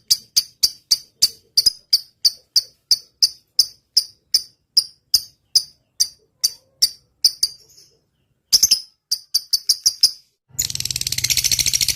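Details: Lovebird giving long 'ngetik' ticking song: evenly spaced sharp high chips, a short pause, a quicker burst of ticks, then a harsh noisy hiss at the close.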